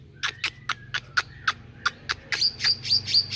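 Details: Actively singing meranti bird: sharp clicking and chipping notes spaced roughly every quarter second, some with a short level whistle between, ending in a run of four higher whistled slurs.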